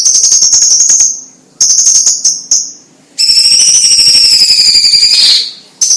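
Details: Chinese leafbird (cucak ijo cina, cucak cungkok) singing vigorously: long high whistled notes held for about a second, laced with fast dry ticking, then a brighter layered whistle that slides upward before breaking off.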